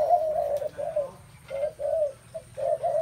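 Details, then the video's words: Spotted dove cooing amid many of its kind: soft, hollow coo notes delivered in drawn-out pairs, separated by short pauses, then a quick clipped note before the pattern resumes, with a low steady hum behind. "tiếng chim cu gáy"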